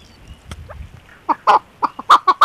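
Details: Chukar partridge, possibly female, giving a run of short, harsh clucking notes, about five in the last second, growing louder; faint background noise.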